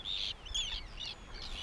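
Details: Arctic terns over their fishing grounds in Siglufjörður fjord, Iceland, many giving harsh, grating calls that rise and fall, several overlapping in quick succession, heard from a kayak with a low rumble of wind and water beneath.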